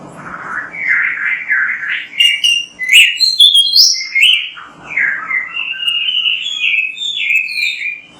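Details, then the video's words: Oriental magpie-robin (kacer) singing vigorously, a tutor recording to prompt other magpie-robins to sing: rich warbled phrases sliding between mid and high pitch, then sharp high chirps and a long run of descending whistled notes, with faint low hum beneath. "MASTERAN BURUNG KACER GACOR BERSUARA MANTAB"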